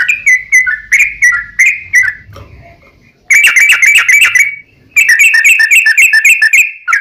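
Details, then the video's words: Lure song from a sooty-headed bulbul to get other bulbuls answering: groups of snappy whistled notes, a pause with a faint thin note, then two rapid rattling runs of bright, repeated whistles. "SUARA trucukan gacor tarung ROPEL PANJANG pancingan trucukan agar bunyi"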